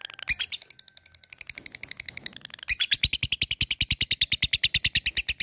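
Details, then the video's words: A fighter labet calling to a rival in 'ngetik ngekek' style. Soft irregular ticks with a faint whistle give way after a sharp note to a steady, loud, fast run of clipped high notes. "LABET memanggil lawan | ngetik ngekek"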